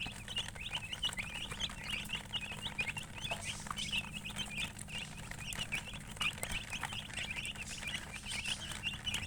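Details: Chicks peeping steadily in quick, high, slightly rising chirps that run on without a break, over a steady low background hum.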